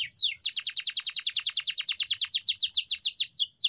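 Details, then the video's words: Canary singing in a master track for pet canaries: a steady, rapid string of sharp descending chirps, about five per second, continuing without a break. "Kenari GACOR‼️ (EPISODE 298) Masteran Burung Kenari _ CANARY SINGING__ الكناري"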